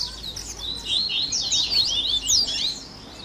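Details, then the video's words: Double-collared seedeater warm-up song to prompt a caged bird to sing: clustered, high, slurred whistles and squeaky chirps, rising and falling quickly. "Baderninha de Coleiro Top FAÇA SEU COLEIRO CANTAR em 30 Minutos - Esquenta de Coleirinho!"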